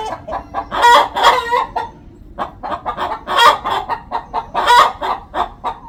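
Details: Hen calling before laying an egg on a poultry farm: a run of short clucks building into loud, harsh, ringing squawks in two bursts, separated by a brief quieter gap.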